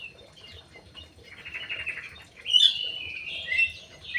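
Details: Crewet housed in an aviary giving a soft twittering warble that builds into louder, sweeping whistled phrases with short sharp chirps near the end.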